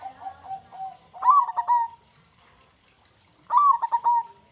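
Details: Zebra dove, a lively local singer, offered as a bait sound to make doves call quickly: a short series of soft cooing trills, then a loud staccato coo phrase, a pause, and a second matching loud phrase.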